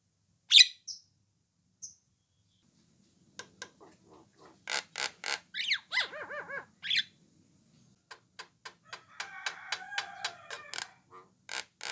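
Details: Orange-eyed Javan myna giving calls meant to coax other mynas to respond. A loud sharp note opens, then a mix of harsh bursts and arched nasal notes, a string of clicks and a stretch of buzzy chatter.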